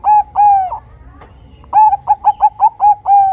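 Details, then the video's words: Bangkok-type zebra dove singing a lure song meant to set other zebra doves singing: two long level coos, a pause, then a quick run of short clipped coos closing on a longer drawn-out note. "Suara PANCINGAN Perkutut Bangkok Gacor 100% TERBAIK Paling Cepat Bikin Perkutut Macet BUNYI"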